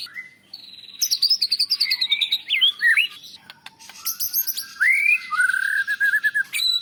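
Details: Champion white-rumped shama song for tutoring other birds, laced with mimicry of cilalilin, canary and lovebird. Opens with a rapid trill of falling notes, then scattered chirps, then long smooth rising-and-falling whistles near the end.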